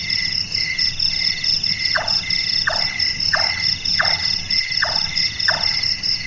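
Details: Night-active large-tailed nightjar, the 'carpenter bird' (burung tukang), hammering out six hollow chonks about two-thirds of a second apart, like someone working wood, against a constant shrill insect chorus.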